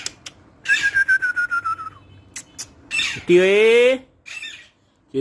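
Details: Pet parrot talking gives a long, gently falling whistle, then a loud, buzzy, rising voice-like note rich in overtones, with short clicks between, in a small room.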